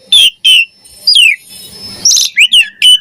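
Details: Javan pied starling song for training other birds, loud descending whistles, a harsh buzzy passage and a burst of quick slurred notes ending in a clear whistle.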